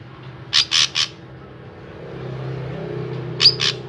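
A drongo gives a quick burst of three harsh, rasping notes, then a pause and two more rasps with a brief high whistle, over a low steady hum.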